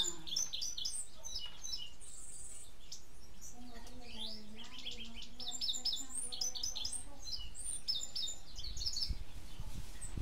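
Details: An Indigo Bunting, noted as in its first season, gives high, bright chirps and paired sweet notes in quick bursts, with other small birds chattering alongside and a low voice-like hum underneath.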